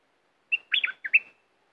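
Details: A caged red-whiskered bulbul, kept as a fierce competition bird, gives a brief phrase. A short whistled note is followed by three quick, liquid, warbled notes rising and falling, with nothing else heard.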